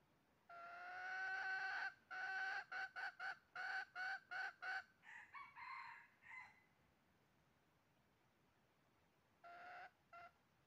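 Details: Red junglefowl during trapping on 20 January 2023: a long harsh crow, then a fast run of about ten short clucking notes that slow and fade, with two more clucks after a quiet gap.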